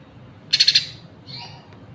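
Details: Green leafbird giving a short, fast buzzy trill of about four rapid pulses, high-pitched, followed by a softer fading note, against a quiet background.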